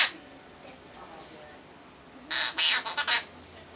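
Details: Pet half-moon conure, male, singing a nursery song: after a near-silent stretch, one quick burst of four or five grating, screechy notes near the end.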